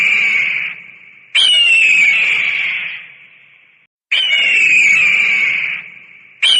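An eagle gives harsh, high screams, each starting sharply and trailing off over about two seconds, repeated roughly every two and a half seconds.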